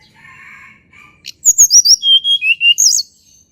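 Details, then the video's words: Sunda robin song, a natural recording offered as a lure for birds that rarely sing: soft low whistles, then a quick click, a run of high sharp notes falling in steps to long clear whistles, ending in a brief high warble. "TLEDEKAN GUNUNG SUARA ASLI ALAM"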